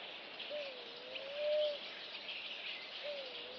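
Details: Namaqua dove giving a low, drawn-out hooting coo that dips then rises and swells, followed by the start of another coo, over a steady hiss of insects.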